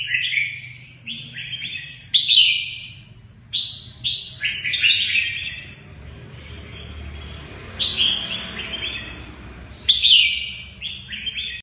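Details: Red-whiskered bulbul giving mơ ché nẹt style song with vivid wing play; repeated bright whistled phrases with abrupt sharp onsets, a quieter gap in the middle, and a light hum in the background.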